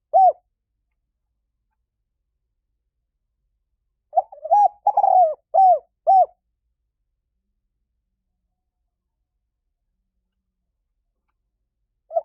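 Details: Spotted dove cooing used as a decoy for wild doves. A single coo opens, one full phrase follows after a long gap with warbled notes, a rolling coo and two bowed coos, and a last coo ends it.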